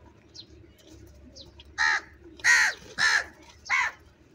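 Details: Crow calling while eating food: four harsh, rasping caws in quick succession in the second half, preceded by faint thin chirps from small birds and a low background hum.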